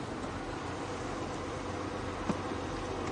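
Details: During an afternoon drive, steady vehicle rumble and hiss continue throughout, broken only by one short knock, with no animal sound.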